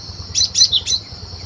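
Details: Cinereous tit in the wild, recorded to lure birds for trapping: three quick, loud, high chirping notes in close succession over a thin, constant insect hum.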